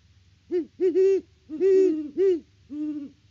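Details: Great horned owls at their nest tree on a Kansas farm near Peabody, filmed by live cam on 17 October 2023: a run of about five deep hoots, some doubled and run together, over roughly three seconds in a quiet background.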